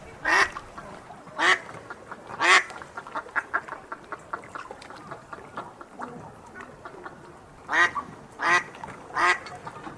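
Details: Ducks enjoying their meal outside an aviary at early morning: repeated harsh, nasal quacks in irregular bursts, loud ones mixed with many softer quacks and chatter underneath.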